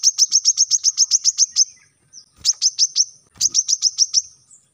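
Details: Brown-throated sunbird in energetic song, used as a master track for teaching cage birds: three fast volleys of piercing high chips, the first about ten notes long, then shorter bursts of five to seven.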